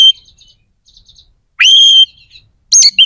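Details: Oriental magpie-robin singing, used to provoke aggression and breeding drive in others of its kind: a single clear, sustained whistle that rises then holds steady, followed by a quick sharp chirp.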